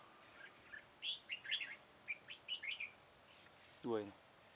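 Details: Red-whiskered bulbul singing during trapping with a decoy bird, recorded 13 October 2018 in Vietnam: short bright chirpy warbled phrases in quick bursts, followed by a low descending harsh sound near the end, with faint speech.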